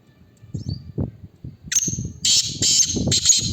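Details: Black francolin calling in a competition: after soft low knocks and thumps, a loud series of harsh, scratchy, grating notes comes in rapid bursts about twice a second, with low rumbling noise underneath.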